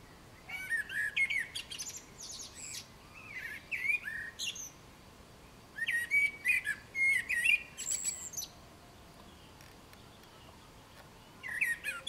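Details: Singing common blackbird delivering four separate phrases a few seconds apart, each a low mellow whistled warble followed by a scratchy, high-pitched twittering flourish, with quiet pauses in between.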